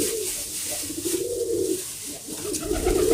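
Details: Domestic pigeons kept by a fancier, low warbling coos around mid-low pitch running almost continuously, swelling louder near the end, with faint room noise behind.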